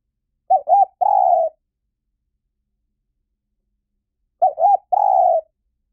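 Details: Two identical phrases from a spotted dove roughly four seconds apart, each two brief coos then a long, level, buzzy note; clean recording played as a lure for decoy trapping.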